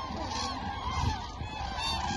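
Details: Thousands of Eurasian cranes at Lake Hornborga, Sweden, a spring migration stopover, trumpet together in a continuous rolling chorus of loud bugling calls, with no single bird standing out, over low wind rumble.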